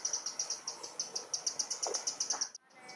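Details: Eurasian wren in a London park sounding its alarm on spotting a potential enemy near the nest: a quieter, fast, even train of high, dry ticking notes, ending abruptly with a brief break.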